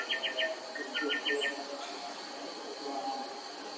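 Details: Greater racket-tailed drongo (Dicrurus paradiseus) calling in a morning duet at a house: two quick bursts of four bright, clipped metallic notes, with a lower whistle and soft notes between, over steady hiss.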